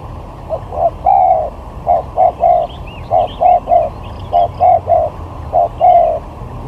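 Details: Lure spotted dove in a luring contest repeating its hollow cooing phrase about four times, short clipped notes leading into a longer coo, roughly one note per second, with faint small birds chirping above.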